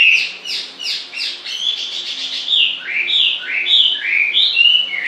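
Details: A songbird delivers continuous loud whistled phrases, first a series of repeated downslurred notes, then varied sweeping and warbling notes, filling the whole stretch.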